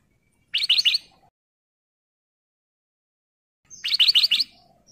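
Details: Ruby-throated bulbul (kutilang emas), a male in breeding condition, calling to a female: two short bursts of three or four quick, bright, bubbling notes separated by about three seconds of quiet.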